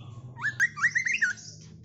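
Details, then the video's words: White-rumped shama of the Medan type, a caged bird groomed as a future champion on the contest perch, sings a quick run of five rising, ringing whistled notes after a soft low hum. "MB MEDAN calon GACO di GANTANGAN LOMBA"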